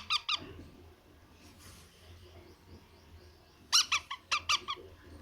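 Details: At feeding time a young parrot repeats short, harsh, grating squawks in quick clusters of two to four, with quieter stretches of low room hum in between.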